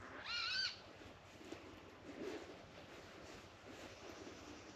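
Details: An unseen water rail hidden in dense reeds at Avalon Marshes, Somerset, in winter gives a single brief, harsh, pig-like squeal, rising then dropping, followed by quiet marsh background with faint rustling.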